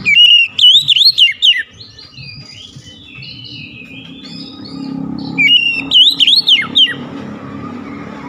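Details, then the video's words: Kacer (oriental magpie-robin) delivering a loud phrase of looping whistles, quieter chattering warbles, then the same looping whistled phrase again over a low hum. "DENGAN CEPAT NYAUT BALAS GACOR SEKALI MENDENGAR OCEHAN KACER INI"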